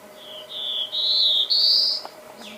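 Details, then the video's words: Black-throated blue warbler singing three drawn-out buzzy notes, each a step higher than the last, ending on the highest and longest buzz, over a faint steady low hum. "Reinita Azulada"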